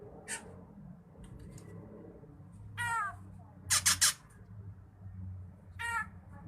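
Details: Drongo singing lively varied phrases for tutoring songbirds: soft nasal notes and faint rasps, then a ringing call with stacked overtones, a loud triplet of harsh scratchy bursts, and a final nasal call, over low steady hum.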